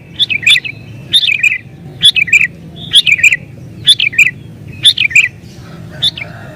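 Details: Emotional, rival-pressing song of a sooty-headed bulbul used to draw in wild birds; crisp, bubbly phrases that fall in pitch, delivered in a regular string about once a second.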